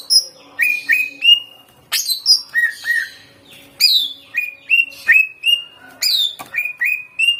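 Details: A lure recording of greater green leafbird song to make leafbirds sing. Bright whistles rise and then level off, repeated in quick series and broken by harsh, rasping bursts.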